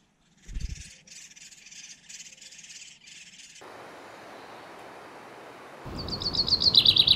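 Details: Common chaffinch calls during a fight at a nest hole between a pied flycatcher and a great spotted woodpecker: high, rapidly repeated notes, then a quick falling run, with a dull thump, rustling and broad noise.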